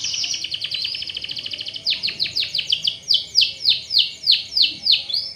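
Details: White speckled canary singing as a lure to stimulate lazy canaries to sing; a fast buzzy rolling trill gives way to a run of loud downward-slurred notes repeated about three per second, ending in higher sweeping whistles.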